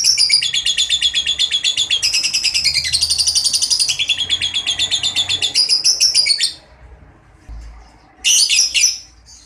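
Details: Ngekek panjang of a lovebird, the long trill played to coax silent lovebirds into song: fast rasping high chatter runs unbroken for about six seconds, then a pause and a short, loud burst of harsh chirps.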